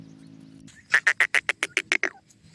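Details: Grey francolin, known as Canadian grey teetar, giving a quick run of about nine sharp, clipped notes at an even pace, after a stretch of low hum.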